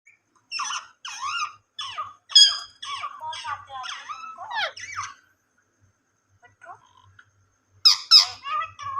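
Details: Ringneck parrot talking indoors: a run of squawky, speech-like syllables in quick bursts, then a short pause and a few soft notes before a loud final burst of chattering words.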